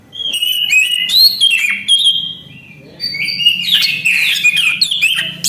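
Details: Caged orange-headed thrush in full, vigorous song: loud varied whistled phrases with sharp rising and falling notes, bursts of harsh chattering and mimicry, a quieter gap near the middle, faint low hum behind.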